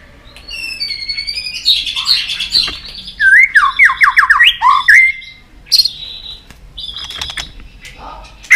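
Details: Stimulated White-rumped shama singing with excitement on its perch: high buzzy notes, then a rapid run of loud looping whistles, followed by short isolated high calls.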